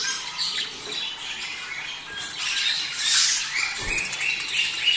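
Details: Budgies chatter softly, with high squeaks and warbles, in a recording for prompting pairs to breed. A louder bright squawk comes near the third second, along with a faint low thump.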